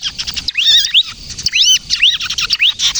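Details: Kejepit-style bar-winged prinia song, played to lure birds and set other prinias singing: high, sharp chirps broken by several loud arched whistles that rise and fall, about one each half second, after a short quieter opening.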